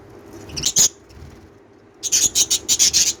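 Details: Lovebird chirping: a short sharp double chirp, a pause, then a quick run of about eight high, harsh chirps in steady succession over a low background hum.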